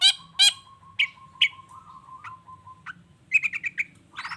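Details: Long-tailed shrike lure song to draw answers from other shrikes: two loud harsh notes, then a long, steady, thin whistle with a few buzzy notes over it, ending in a quick burst of scratchy chatter.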